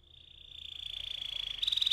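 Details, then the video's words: Canary singing a rolling 'ngeroll' style song used as a lure to get canaries singing: a steady high whistled tone that gradually pulses faster and louder, ending in a rapid buzzy trill. "PANCINGAN TERCEPAT dan SUKSES BIKIN KENARI GACOR NGEROLL"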